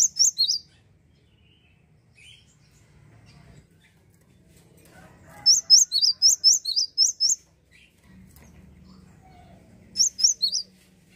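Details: Java sparrow singing vigorously to agitate opposing birds: short chirp bursts, then a run of about eight bright, high, down-up chirps at a steady quick pace, with a low hum between phrases.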